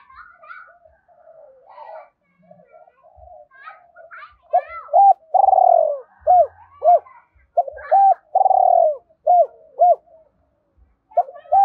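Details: Spotted dove cooing, a recording meant to spur other doves to coo quickly. Faint murmurs and soft background sounds open, then low mellow hoots alternate with long rolling purred coos, a repeated rhythmic phrase in a quiet indoor setting.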